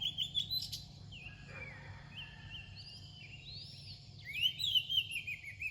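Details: Near dawn, an Oriental magpie-robin sings varied clear whistles, some rising and some falling, in loose phrases with short gaps. A steady low hum sits underneath.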